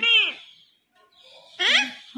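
A parrot speaks two short, high, nasal word-like phrases about one and a half seconds apart, with a quiet room in between.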